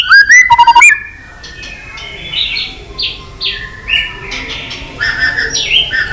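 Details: White-rumped shama long song to stir up a fight, opening with a short burst of loud rapid whistles and a dipping note, then continuing softly with distant, muffled phrases.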